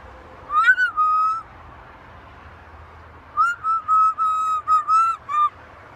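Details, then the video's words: Whistling macaw parrot: a short rising whistle run into a level note, a pause of two seconds, then a series of six steady, evenly pitched whistled notes with brief breaks. "Macaw talking"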